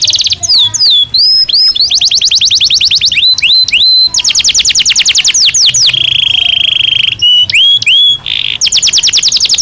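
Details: Belgian canary singing naturally: loud, continuous high song of rapid repeated trills and swooping whistled notes, with sharp descending sweeps, fast rolling phrases and a steady buzzy trill held near the middle.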